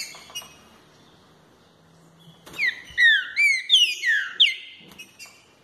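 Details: Green-winged saltator, known locally as trinca-ferro, singing a strong phrase of loud, clear whistled notes that slide downward, about five in quick succession, after a quiet start with a few faint chirps.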